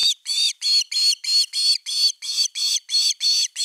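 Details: Finnish nest-cam osprey, 30 August 2021, evening fish at the nest: an unbroken run of loud, high, clipped chirps repeated about three times a second, steady and insistent, with no other sounds.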